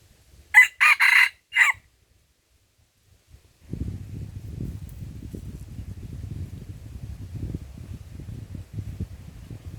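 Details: Red junglefowl at Lamteuba, Aceh, recorded during trapping with a decoy: a short burst of four harsh, strained crow syllables in just over a second, followed by steady low wind rumble and rustling.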